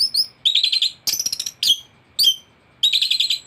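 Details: Thrush in sustained teler-style song full of mimicry fill-ins, a tutoring master to provoke other birds; quick rattling trills and sharp high notes in bursts roughly every half second, with brief silent gaps.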